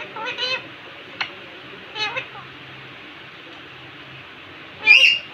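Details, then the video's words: Indian ringneck parakeet talking in a cute voice in front of a mirror indoors: trembling, quavering voiced syllables, a single click, more wavering chatter, then a loud harsh squawk. "Cute Talking Parrot in front of mirror"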